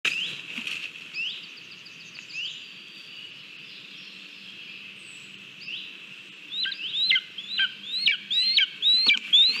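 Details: Lesser spotted eagle at its nest in Latvia, filmed on a live nest camera on 18 July 2022 while eating a mole on its own; a few high whistled notes early on, then a run of sharp rising whistled calls in quick succession near the end.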